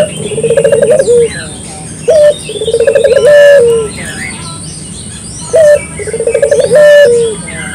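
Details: Clear local puter dove calling for use as a lure: three rolled, tremulous coo phrases, each ending in a drawn-out descending note, spaced a few seconds apart over background chirping birds.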